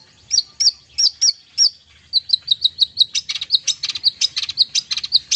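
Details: Long-tailed shrike in full song rich with filler phrases, played as therapy for silent or sluggish birds. Spaced, sweeping high whistles give way to a quick, steady string of sharp chirps with buzzier notes mixed in.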